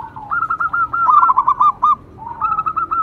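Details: Local zebra dove singing loudly, a sound used to coax other perkutut into song. Dense rapid trills of short, bubbling, mid-pitched notes come in two quick phrases separated by a brief soft coo.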